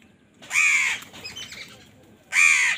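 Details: Crow calling loudly while fighting for food: two harsh, hoarse caws about two seconds apart, with faint softer bird sounds between them.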